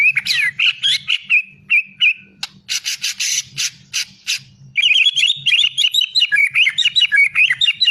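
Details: White-rumped shama singing high looping whistles mixed with harsh, rasping scratchy bursts. A long, fast stream of bright, jumbled twittering follows, with a faint low hum underneath.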